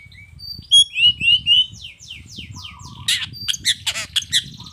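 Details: Long-tailed shrike lure song: a run of clear, downward-slurred whistles repeated several times a second, then harsh rasping bursts and rapid chips, over faint low background rumble.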